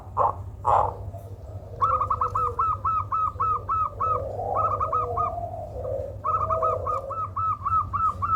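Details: Zebra dove giving an unusual call said to be good for luring birds: two low coos, then rapid runs of short, clipped, hooked notes repeated in quick bursts, with softer warbling murmurs beneath and a steady low hum.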